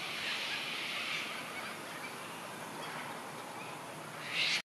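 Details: Sulphur-crested cockatoo (Cacatua g. galerita) at Barmah, Victoria, Australia, on a windy 5 March 2022, screeching: a harsh, grating, broadband rasp running almost unbroken, ending in a louder, shriller burst.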